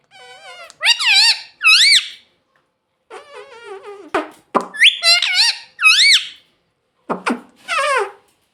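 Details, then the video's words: Talking parrot kept as a pet, said to repeat "mummy"; squeaky nasal bursts with wavy up-and-down pitch, delivered in short groups separated by brief pauses in a small room. "talking parrot mummy mummy"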